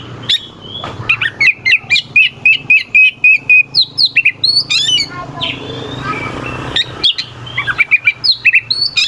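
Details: Oriental magpie-robin song meant to stir rival birds into singing: a long run of rapid, evenly repeated sharp chips, then varied whistled slurs and scratchy notes, over a low background hum.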